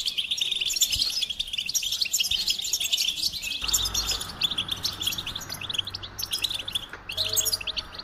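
A goldfinch sings a fast, liquid twittering of high tinkling notes and buzzy trills without pause, over a faint low hum.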